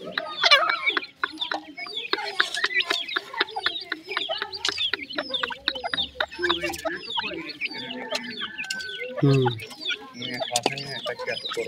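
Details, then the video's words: Grey francolin (teetar) chicks with a new pair, giving a dense chorus of short down-slurred peeps and chirps mixed with lower clucking notes, many birds calling at once. "grey francolin chicks,teetar chicks sound"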